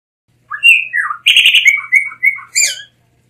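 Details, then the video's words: A blue mockingbird whistles two slurred notes, breaks into a rasping buzzy rattle, then runs through level whistles and short warbles, ending on a high squeaky flourish. "Mulato Azul Canto - Blue Mockingbird Bird Song"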